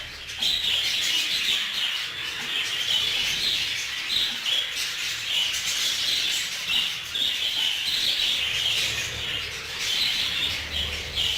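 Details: Budgerigars in a breeding colony readied for mating, nest boxes opened; dense continuous chattering and warbling of many birds, high and scratchy, with overlapping squawks throughout.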